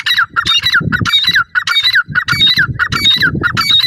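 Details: Male and female grey francolin calling together in a loud, rapid series of ringing, downward-slurred notes, each repeated about every half second with squawky overtones, over steady low background rumble.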